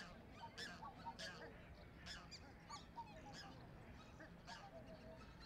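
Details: Soft, nasal honks of a Black-necked swan (Cygnus melancoryphus) come in uneven bursts, roughly one or two each second, mixed with clicks, splashes and a low droning background.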